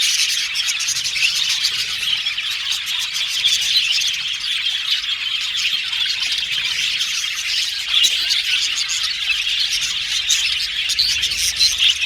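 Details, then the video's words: Budgerigars chirping as contact calls to find companionship; long, steady stream of harsh squawks and high chirps, evenly loud with no breaks. "Happy Budgies Chirping Sound | Budgies Sound For Lonely Budgies Birds"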